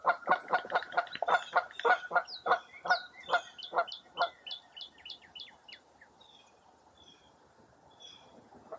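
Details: Wild birds at Mirror Lake State Park near Baraboo, Wisconsin, on a foggy early April morning: a rapid series of honking, repeated notes over the first four seconds, then a run of thin, high, descending whistled notes fading into quiet.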